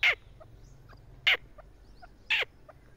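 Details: Partridge (teetar) giving three loud, harsh, rasping calls about a second apart, with faint higher notes between them and a low background hum.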